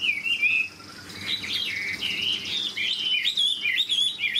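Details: A large 72 g caged Chinese hwamei, not yet in full peak form, sings a rich, continuous run of loud, varied whistled phrases, rising and falling between high notes with quick twists and trills.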